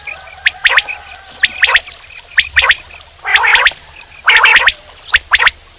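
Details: Male common quail giving groups of sharp, high, clicky notes in threes, broken by two louder, rough, gargling bursts in the middle.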